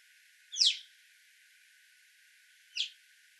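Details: Alpine chough giving two short, high, sharply descending chirped calls, the first louder and the second softer about two seconds later, against a quiet background hiss.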